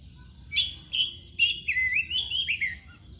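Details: Oriental magpie-robin (kacer) singing in the style called mbagong, with the nangkur posture also named: a quick run of bright, varied whistled notes, some rising and some falling, in several short phrases over a faint low hum.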